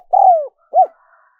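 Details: Spotted dove cooing, a recording for luring wild doves. A long smooth coo sliding downward, then one short arched coo, low and mellow. Faint soft sounds trail after the coo.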